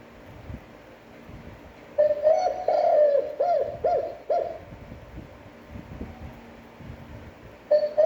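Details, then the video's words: Spotted dove in standard cooing voice for training decoy birds: a long wavering coo gives way to four clipped, downward coos, with a fresh phrase starting at the end over a quiet indoor hum. "Tiếng chim cu gáy chuẩn (kích bổi, hơi dài, giọng hấp dẫn, luyện bổi mỗi ngày)"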